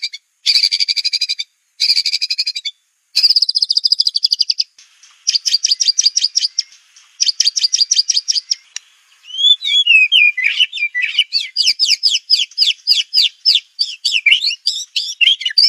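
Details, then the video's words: White-rumped shama song as master material for birds: bursts of fast, high, buzzy repeated notes with gaps, then a varied run of quick sharp whistled notes. "Masteran murai batu ful tembakan kicau prestasi jernih mudah di tiru"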